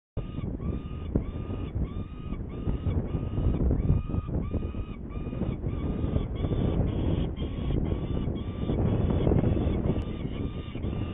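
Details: Saker falcon in Hungary on 21 May 2019 at 11:30, going to get prey: harsh, harmonic calls repeated about three to four times a second without pause, over a steady low roar of wind.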